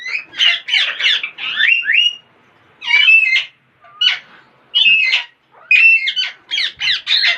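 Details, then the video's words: Parrot making weird sounds and funny noises: bursts of harsh, buzzy squawks and chattering notes with upward-sweeping whistles, broken by short silences. "Most Beautiful Parrots Are Making Weird Sounds And Funny Noises !"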